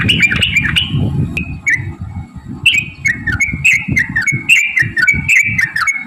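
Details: Yellow-vented bulbul singing in 'ropel' style, a lure to spur other bulbuls to sing. Fluty whistled notes, a short lull, then a brisk chain of falling whistles, with low muffled thumps below.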